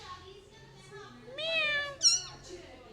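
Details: Tame two-year-old male plum-headed parakeet that speaks Urdu/Hindi words and whistles mimics speech with a drawn-out, rising, voice-like phrase, then a sharp, high, falling squeak; faint murmuring in the background.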